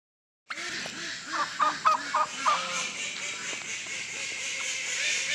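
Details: Turkey (Meleagris gallopavo), call.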